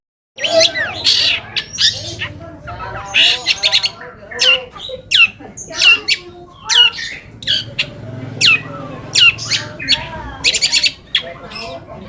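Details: Long-tailed shrike song meant to provoke silent or lazy shrikes into answering: a steady run of harsh scratchy notes and sharp squawks, each with a brief upturned whistle, repeated irregularly for several seconds.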